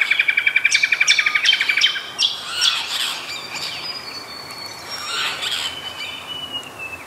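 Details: Apostlebird calling: a rapid train of rattling notes, about ten per second, then several harsh scratchy squawks, with a thin, drawn-out whistle slowly falling in the background.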